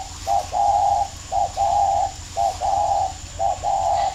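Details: Two spotted dove decoy birds fighting: a clear, steady series of low coos, each short note followed by a longer drawn-out one, the pair repeating roughly every second against a faint low hum.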